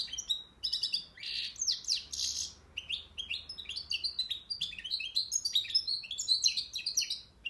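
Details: Akhisar European goldfinch delivering its cimbil song, a continuous run of quick, high tinkling chirps and buzzy trilled notes that grows busier toward the end, with no other sounds heard.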